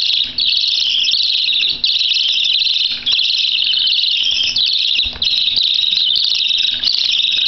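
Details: Budgerigar chicks begging for food, recorded in 2011, in a continuous high, raspy chorus of buzzy cheeping that pauses briefly every second or so before surging again.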